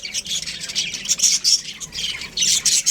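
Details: Baby budgerigars chirping in an aviary: dense, scratchy high chatter with overlapping squawky notes from several birds, continuous and busy throughout.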